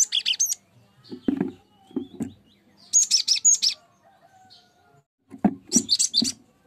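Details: Cinereous tit singing as a lure for other songbirds. Three short groups of bright, high-pitched chirps come a few seconds apart, interspersed with soft low tapping knocks.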